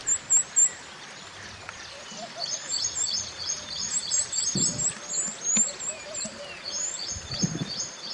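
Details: Mountain white-eye, natural song used as a training master for other birds: soft, rapid high twitters and thin chirps running through most of the clip, with a few brief low thumps.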